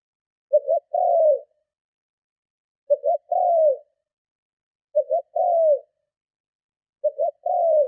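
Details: Spotted dove giving vigorous lure-and-provoke cooing, four phrases spaced about two seconds, each a stuttered two-note start and a lengthy downward-curving coo, no other noise.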